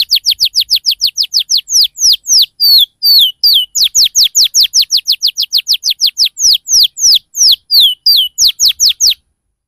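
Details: Canary lure song meant to get young canaries responding and learning the ngriwik and cuit-cuit sounds: a long run of rapid, high, steeply falling whistled notes, with occasional twisted slurred phrases mixed in.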